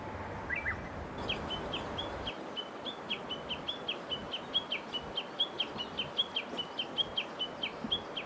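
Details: Japanese bush warbler recorded in mid-May 2016 at Mizunuma Onsen, Midori, Gunma Prefecture, Japan, in mountain surroundings where the birds sang all around; a rapid series of short high chirps repeats about three times per second, over faint background noise.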